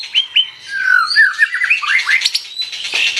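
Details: White-rumped shama singing vigorously: clear, sweet whistled notes with smooth rising and falling slurs, a quick run of varied phrases, and a short harsh note at the close.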